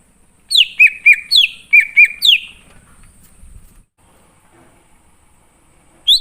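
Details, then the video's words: ['Greater green leafbird from the wild, recorded as a lure to make wild birds respond: a rapid burst of bright, high, falling whistles in quick series, then faint low rustling and a final high note.'] "Pancingan Burung Cucak Ijo Ngalas Di Jamin Langsung Nyaut"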